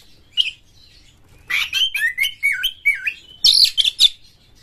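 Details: Vigorous Oriental magpie-robin song used to prompt other birds of its kind to sing. A lone note opens, then a quick chain of rising and falling whistles, closing with a burst of high, scratchy rough-toned notes.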